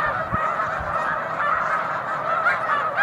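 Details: Snow geese massed in a big flock on Cayuga Lake in March, many birds honking at once in a constant, clamorous babble of nasal yelps.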